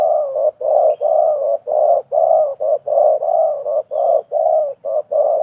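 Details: Spotted doves, a wild bird and a decoy bird calling against each other at a trapping site. Loud, mellow, hooting coos come in quick, uneven series of short and longer notes, with almost no pause between them.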